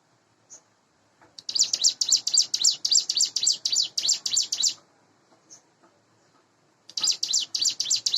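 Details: Hand-reared Sunda bush warbler in a cage, about eight months old and in breeding condition, giving morning song: a three-second rush of high, buzzy, rapidly repeated notes, a gap with isolated chips, then another burst.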